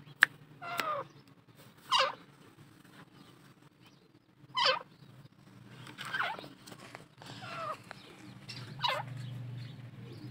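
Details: Grey francolin, known locally as desi teetar, calling with scattered loud, raspy notes every one to two seconds, some drawn out and descending, over a steady low background hum.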